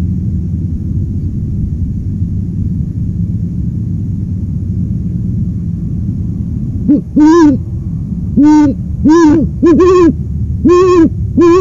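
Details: Low steady background rumble for about seven seconds, then an owl begins hooting: six or seven deep, slightly arched hoots at irregular intervals of roughly a second.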